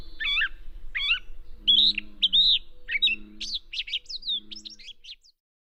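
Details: Male catbird mimicking other species; a larger repertoire is thought to show females he has survived many breeding seasons. Varied squeaky, warbled phrases, each a different short note, follow one another rapidly, with a soft low hum beneath.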